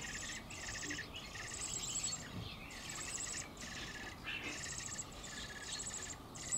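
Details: Eurasian blackbird fledglings flapping their wings as they leave the nest, two young from an early brood. Loud, grating, hissy bursts repeat every half second or so, broken by a few short gaps.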